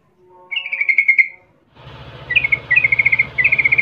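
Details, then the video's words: Sooty-headed bulbul calling so other bulbuls reply: a clear rippling chatter, then short chirp bursts repeated three times over a steady low humming background noise. "10 macam suara panggilan trucukan gacor PALING AMPUH BIKIN LANGSUNG NYAUT RIBUT trucuk lain"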